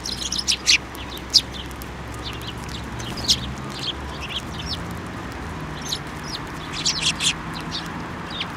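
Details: Sparrows at a Tenmangu shrine, 28 December 2023, flying to a hand for food: scattered high chirps and short twitters spread through the clip over a low background rumble.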